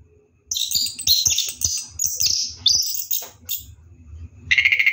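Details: Orange-headed thrush bathing at night, singing a dense run of high scratchy chirps and slurred whistles, ending with a quick rapid trill, over faint low background rumble.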